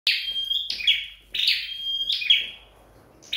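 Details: Flowerpecker in home training, giving high buzzy notes that sweep down, each followed by a thin steady whistled tone, repeated in phrases roughly every second with short pauses.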